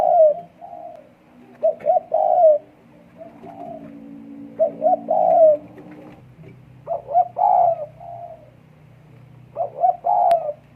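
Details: Breeding-condition spotted dove repeating its cooing phrase four times over ten seconds, each a pair of quick coos and a longer mellow note, with quieter coos in the gaps.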